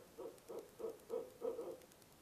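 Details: Barred owl at a nest box around 2am in November: five short, low hoots spaced about a third of a second apart, the last one doubled, against a quiet night background.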